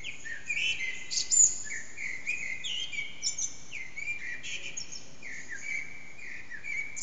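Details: At about 4:40am a common blackbird, unseen, sings in an echoing backyard, recorded on an HTC Desire. Continuous flowing song of low mellow whistles, each dropping slightly, interleaved with thin high twittering accents.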